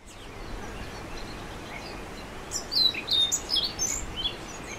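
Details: Orange-billed nightingale-thrush singing: one short, jumbled phrase of thin, high, squeaky notes in the second half, rising and falling quickly, over a steady hiss of background noise.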